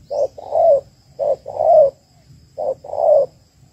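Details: Low, hollow cooing from a female spotted dove calling to rouse males: three two-part phrases, a clipped first note then a drawn-out, slightly descending coo, under faint background hum.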